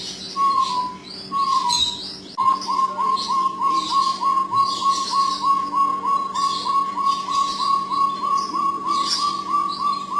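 Jungle bush quail giving clear whistled notes, first drawn-out, then a steady run of short whistles about two or three per second, over a low hum and faint chirps.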